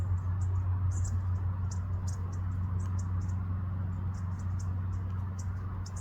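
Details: Bushtits returning to an urban bird-feeding spot give thin, very high ticking and lisping notes, several a second in loose bursts, over a steady low traffic-like hum.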